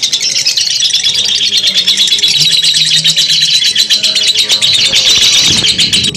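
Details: Sustained high-pitched lovebird ngekek chatter, the long chattering song style, a fast buzzy run of chirps without a break, with a few brief clattering knocks near the end.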